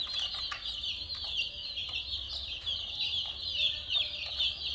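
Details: Colourful chicks peep constantly in a group, their high, piercing chirps tumbling over one another in an unbroken chorus, with low background hum.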